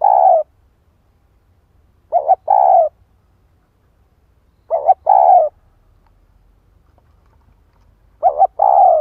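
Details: Spotted dove used as a decoy, calling to provoke and lure wild doves; four short, low, hoarse cooing phrases, each a quick stutter then a longer coo, spaced about two to three seconds apart, with quiet low hum between.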